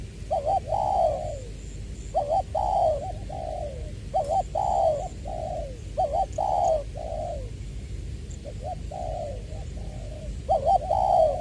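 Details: Decoy spotted dove with the 'Tieu' style voice from Tra Vinh, Vietnam, February 2021: a long run of repeated coo phrases, clipped paired notes then falling coos, several phrases in succession over a low droning background.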